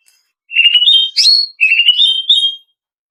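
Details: Female greater green leafbird, lure audio for caged-bird training: two clean phrases of rapid rising whistled notes, the first ending in a sharp high squeal, the second climbing steadily.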